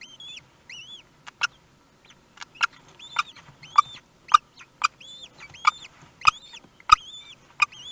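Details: Common kestrel family at its Théding nest, France, 18 May 2021, as the first chick hatched; repeated high arched whistles, each bending up and down, interleaved with crisp knocking clicks in an otherwise quiet box.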